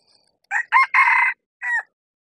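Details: Crowing of a male red junglefowl decoy, kept to call in wild birds on a bamboo hilltop: two brief rising syllables, a drawn-out steady note, then a separate short falling tail, clear and loud with no other sounds.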